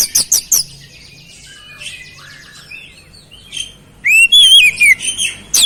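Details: Energetic oriental magpie-robin song laced with flowerpecker imitations: opening high chips, a quieter run of twittering and trilled notes, then a loud undulating whistle with fast sharp notes to finish.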